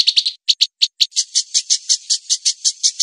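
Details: Tutor song of a white-rumped shama for training songbirds: quick pairs of sharp high chips, then a steady run of harsher, buzzy notes repeated a little faster than three per second.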